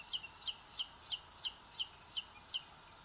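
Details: High, squeaky two-note chirps from booted eagle chicks in a nest, filmed by a live nest camera in Spain's Sierra de Guadarrama in 2022. The chirps come evenly, roughly three per second, over a low steady hiss.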